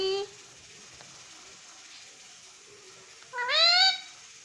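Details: Pet green ring-necked parrot mimicking the word "mummy": a short nasal call opening, then after quiet a drawn-out rising, slightly whining two-part "mami" in a small room.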